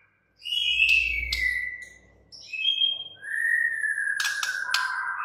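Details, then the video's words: White-rumped shama whistling long descending and level notes with sharp clicks, over a deep low rumble at the start and a steady faint background hiss. "murai batu BISU, STRES, MACET TOTAL bakalan NYAUT GACOR dan Kembali FIGHTER"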